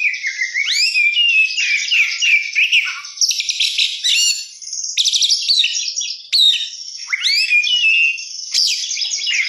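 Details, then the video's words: Kacer, the oriental magpie-robin, singing nonstop in the rich 'isian' style: bright whistled sweeps, fast chattering trills and buzzy rattles alternate in a dense, varied stream, with short sharp upslurred notes recurring every couple of seconds. "kacer gacor isian mewah"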